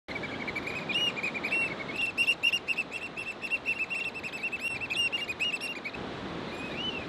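A black oystercatcher gives loud, piercing whistled notes in a rapid run of about four per second, over a steady rush of surf or wind.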